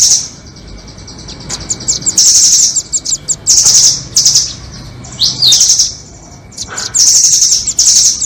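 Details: Lure recording for trapping nuthatches, doraemon versus red-billed types: long, shrill, buzzy trills of up to a second alternate with clipped high ticks and a quick downward-swept note, separated by quiet gaps.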